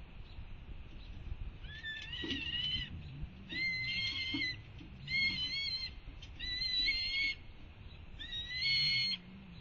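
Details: Juvenile red-tailed hawk on a railing above the nest, watching for a parent bringing food; long harsh, wavering screams with stacked harmonics, five drawn-out cries about a second each with short pauses, over low background rumble.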